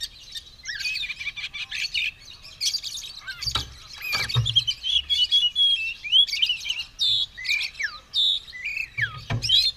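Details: Oriental magpie-robin, ready to fight and spreading its tail, singing persistently: a rich, varied run of whistled phrases, rising and falling slurs and scratchy chatter, with a few dull low thumps near the middle and end.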